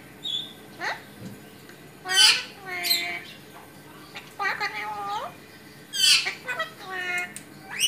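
An Alexandrine parakeet chatters in harsh, buzzy, speech-like phrases with rich harmonics, several short bursts a few seconds apart in a quiet room.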